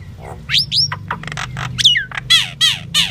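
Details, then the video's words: Common myna song: a rapid, varied sequence of rising whistled slurs, clicks and buzzy notes, closing with three loud descending chattering phrases, low hum beneath. "Common myna bird song Indian myna sound | mynah singing"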